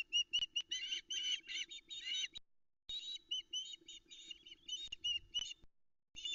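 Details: Osprey female Aila at a Loch Arkaig nest on 13 July 2020, around 05:43, keeps calling for fish while a chick eats: shrill, rapid chirping whistles in quick bursts, pausing briefly, over a faint steady low hum.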